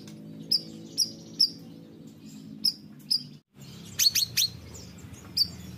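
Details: Stonechat in active song gives short, sharp, high chirps about once a second, then a quick burst of thin, falling notes, over a faint low hum.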